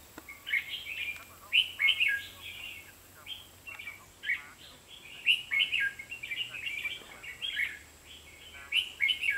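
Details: Red-whiskered bulbul singing during trapping on 23 October 2016, a lively run of bright, bubbling whistled phrases repeated almost continuously, each phrase a quick warble of rising and falling notes, with a low background hum.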